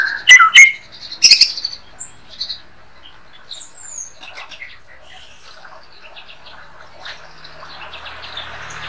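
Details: White-rumped shama, daily-kept bird, singing as a master song for training other songbirds: two loud clear whistled notes with a sharp chirp between, then a softer, varied run of twittering, buzzy phrases over faint background hiss.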